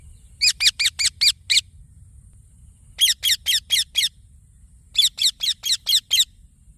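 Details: A green parrot chick chirps in three separate bursts of five or six scratchy, rapid notes, with pauses of over a second between the bursts.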